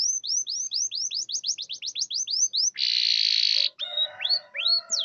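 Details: Canary song played as a lure to get silent, reluctant canaries singing: a rapid series of rising whistled notes, then a harsh buzzing roll, followed by separate swooping whistles.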